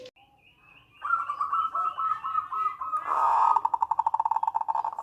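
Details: Local zebra dove in manggung and nretek song, used as a lure to set other doves singing, for trapping and to raise breeding urge: buzzy wavering coos, then a loud rapid pulsed trill of even ringing notes.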